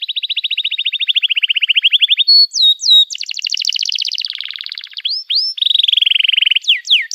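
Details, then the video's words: Canary song used as a lure to teach young canaries to sing: a fast trill of repeated notes, then high sweeping whistles, buzzy rattles and a steady rolling trill, all loud and clean. "Kenari Gacor Panjang Cuit Cuit Emosi, Pancingan Kenari Paud Belajar Bunyi"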